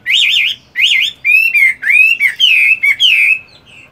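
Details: Caged Chinese hwamei, a fighting bird, practising its voice in the morning while moulting; loud clear whistled phrases, rising and falling, in quick bursts separated by short pauses.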